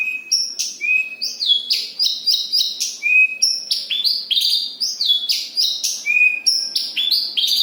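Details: Javan bush lark from Kediri singing in a dense rolling style: a rapid, continuous run of bright chirps and downward-sweeping whistled notes, each phrase about a third of a second, jumping between high and very high pitches without pause.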